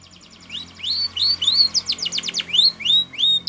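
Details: Canary song for training, with rising whistled notes alternating with fast bursts of downslurred notes over a steady low hum.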